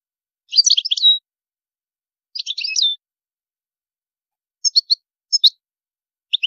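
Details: European goldfinch in high maqamat: two dense twittering bursts each ending in a sustained note, followed by short groups of bright, high chirps.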